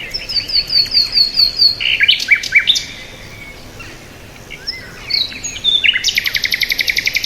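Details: Several birds chirp together: high, rapid repeated notes, short rising whistles and a fast buzzy trill at the end, with brief quiet gaps in the middle.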